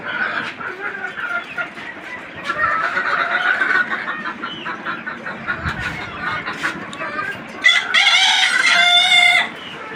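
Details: Desi chickens on a farm keeping twenty-nine free-range hens; several seconds of busy flock clucking, then a loud harmonic rooster crow near the end.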